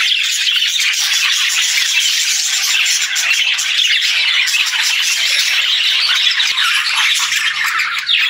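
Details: Unbroken high-pitched budgie warbling, a rich wash of chirps, clicks and squeaky song notes.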